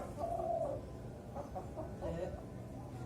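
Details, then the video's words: Young zebra dove, four to five months, kept caged and raised on a pole for song training; a bright, trilled coo opens the clip, followed by shorter rolling coo notes. "Melatih DERKUKU MUDA di kerekan"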